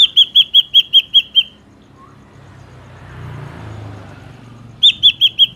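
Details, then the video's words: Ashy drongo, natural sound used as a trapping lure: a rapid series of seven sharp whistled notes, a quiet gap with low rumbling like a passing vehicle, then another quick burst of five similar notes. "SUARA BURUNG SRIGUNTING ABU ASLI SUARA ALAM ||Cocok buat pikat dan pancingan"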